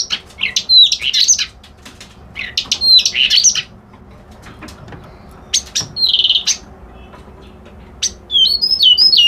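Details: Reed warbler, known locally as white-browed kerak basi, singing repeated harsh, churring phrases mixed with rising whistled notes. A buzzy grating section follows, then a final run of short, looping high notes.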